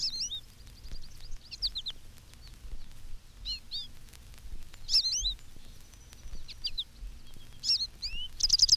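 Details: American Goldfinch flock on telephone wires giving a medley of canary-like notes, with the chickaree flight call and bay-bee alarm note; scattered high twittery phrases and short upslurred notes with pauses between, soft low hiss beneath.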